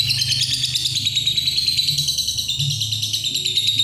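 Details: Long ngekek from a lovebird: a dense, shrill, fast-pulsed chatter running without a break, dipping slightly in pitch midway, over faint low rumbling.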